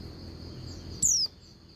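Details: Female Oriental white-eye calling the male: a single short, high, thin whistle sliding downward, heard over a steady high hum and low background rumble.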